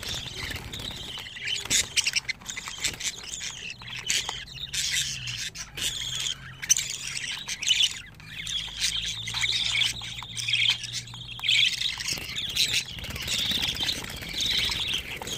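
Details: Pet budgerigar chicks aged 25 days beg continuously, a chorus of raspy high squawks about once a second for fifteen seconds, with faint low hum beneath.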